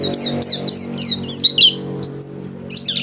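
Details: Home-class white-eye in vigorous song: a few rich, high twittering phrases sliding downward, then short, clear, level whistled notes near the end.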